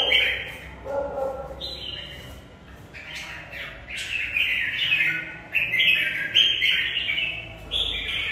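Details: Caged red-whiskered bulbul singing in a fighting contest: short bright whistled phrases around mid-high pitch, coming in loose bursts after a quieter, lower opening, with faint room noise beneath.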